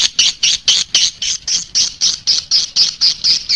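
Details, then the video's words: Swiftlet lure call meant to attract swiftlets: evenly spaced, scratchy high chirps, about four every second. "SUARA PANGGIL BURUNG WALET"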